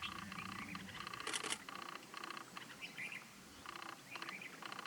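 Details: Grey francolins, also called grey partridge, at Jhalana Leopard Reserve, Jaipur, India, in February 2020, close up; repeated metallic, buzzy call notes in steady bursts of about half a second, with brief higher chirps between, over a hissing background.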